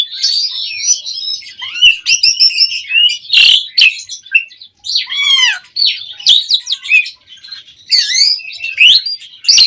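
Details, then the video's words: Asian pied starling song, a lure recording to get birds answering: varied chattering with whistled slurs, sharp clicks and a rapid descending series of notes in the middle, in continuous bursts. "Pancingan Jalak Suren Mompa RingTone Bikin Suara Burung OCEHAN satu Rumah LANGSUNG Nyaut"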